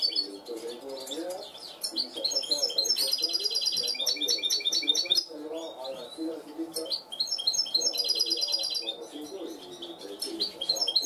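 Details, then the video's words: Goldfinch hybrid trained to cante limpio, a clean song style, delivering bursts of rapid ringing trills and twittered phrases separated by short gaps, with a continuous low warbling hum underneath. "mixto de jilguero educado a cante limpio"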